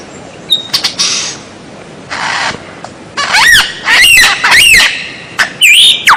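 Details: Song of white-rumped shama for training captive birds: faint hissing notes at first, then loud arched whistles repeated about every half second and a closing sweeping upslur.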